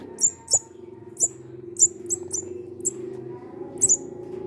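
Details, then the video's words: A hungry munia, found behind a house and being hand-fed, gives thin, very high squeaky chirps, about nine in a few seconds at an uneven pace, over a steady low hum. "Ganito pag gutom na ang ibon pipit"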